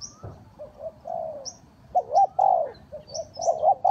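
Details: Spotted dove lure call for trapping. Soft coos lead into loud, rounded doubled notes, joined by brief high chirps from other small birds.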